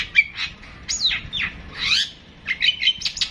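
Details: Long-tailed shrike (pentet) singing a long 'tembakan' phrase: scratchy, high, sweeping notes, some rising and some falling, alternate with brief clear whistled pips in a lively, irregular sequence.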